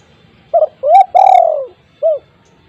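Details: Spotted dove with a loud voice, used as a lure for untrained doves. One phrase: a doubled short note, a rising coo, then a long, slightly wavering coo that falls away, closed by a single rounded hoot.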